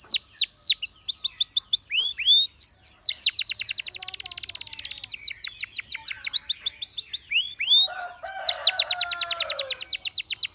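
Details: Canary sings to coax others into song, mixing high downslurred whistles, a steady buzzy rolling tour and long rapid trills, with a brief lower warble between phrases.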